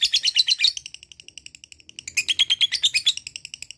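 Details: Ngekek trill from a lovebird, the bait sound for prompting reluctant birds to sing: dense, rapid, shrill chattering pulses that fade to softer clicks midway, then swell again into a loud buzzy run.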